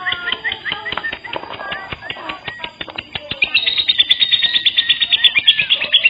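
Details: Lovebird lure call meant to draw in other lovebirds: scattered chirps at first, then a steady stream of high, sharp chirps in quick succession through the second half.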